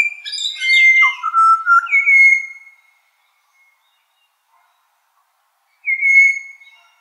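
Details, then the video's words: Australian pied butcherbird morning song: a quick cluster of clear, melodic whistles stepping down, then silence, then one more sustained whistled note after a long gap. "Butcherbird | Australian Bird Song & Calls"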